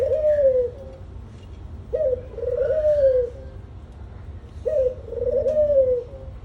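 A dove gives low, soft cooing phrases, each a short note followed by a longer rolling coo, repeated about every three seconds over a faint background hum.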